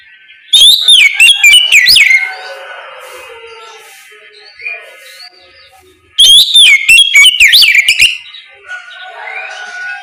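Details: Oriental magpie-robin singing ngeplong in the morning to draw replies from other birds; two loud bursts of rapid, rich whistled phrases with swooping notes, about five seconds apart, with quiet chirping from other birds between them.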